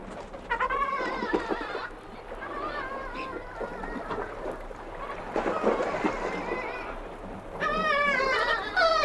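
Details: Two kittiwakes at close range give nasal, wailing moans plus sharper harsh alarm and pre-flight calls in overlapping bursts, with a distant Arctic colony murmuring behind them.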